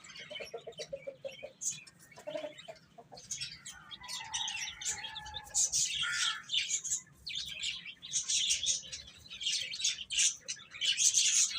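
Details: Young chicks eating and playing together; a busy chorus of high, overlapping chirps that grows denser and louder toward the end, with a few brief lower notes early on.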